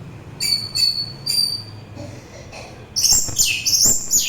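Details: Orange-headed thrush singing, a recording offered as relaxing listening and as a lure for its own kind and other birds: three clear harmonic whistled notes, a soft pause, then a rush of dense, very high, twittering phrases.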